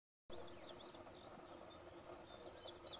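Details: Indigo bunting singing on June 6th at Eagle Bluffs Conservation Area: faint high chirps, then a quick burst of sharp, paired, high-pitched notes, over a steady low background hum and a thin high whine.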